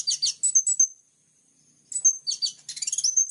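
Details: High, sharp plain-throated sunbird song in full-burst gacor style: a scratchy twittering phrase ending in thin whistles, about a second of silence, then a second, denser chattering burst trailing into a thin whistle.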